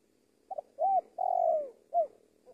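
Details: Low mellow phrase by a spotted dove used as a luring decoy in Indonesia: two faint clipped notes, an arched coo, a long descending coo, then a final short hoot.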